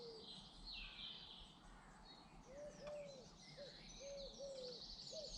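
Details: British garden birds heard in a soft, quiet scene: a series of gentle low coos alongside high, busy chirping and twittering from other birds, with faint background noise throughout.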